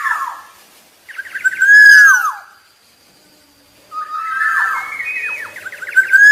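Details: Black-naped oriole singing loud, liquid whistles with descending slurred notes and scratchy harmonics, in two phrases split by a short silence.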